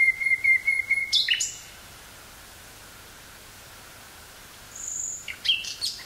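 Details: Wild common nightingale in woods near Burgh-Haamstede, Netherlands, May 18th 1983, cassette recording: steady repeated whistled notes ending in a sharp burst, a long silent gap, then a high thin whistle and short phrases.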